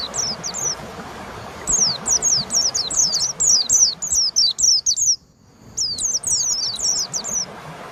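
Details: White-eye song for encouraging a home-kept bird that rarely sings: a lively stream of high, sharp, falling whistles, briefly broken by a near-silent gap, then resuming in a fast cluster; light background hum.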